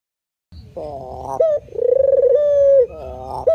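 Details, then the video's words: Male spotted dove cooing manggung style: a quavering, buzzy lead-in, a brief upward note, then one long even coo that sags at its end, followed by another rough opening. "SUARA BURUNG PUTER MANGGUNG GACOR"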